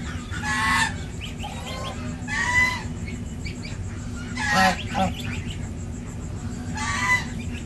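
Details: Domestic goose on a village farm in India, with a gosling on its sixth day: four loud, harsh, nasal honks, one roughly every two seconds, with soft high peeps and a constant low hum between them.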